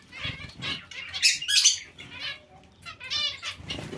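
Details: Among Bengalese finches, a zebra finch colony calls in bursts of buzzy, nasal chirps with a brief bright squeaky flurry, separated by softer moments of wing flutter.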